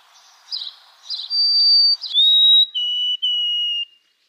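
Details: White-throated sparrow singing: a few soft buzzy chip-like notes, then clear pure whistles, one long high note followed by two lower sustained notes stepping down, in a quiet setting.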